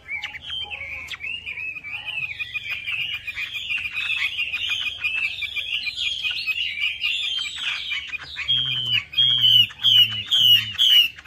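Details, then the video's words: Melodious laughingthrush in lure song: a long fast chattering warble that breaks into loud repeated downslurred whistles near the end, with a pulsing low hum behind. "PANCINGAN WAMBI MACET"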